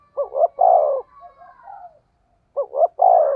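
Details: In this lure recording for stirring up other doves, a spotted dove in the 'thổ sấm' thunder voice style gives two strong coo phrases. Each has a double stuttered lead-in and a long, deep, vibrating final note, with a soft whistle between them.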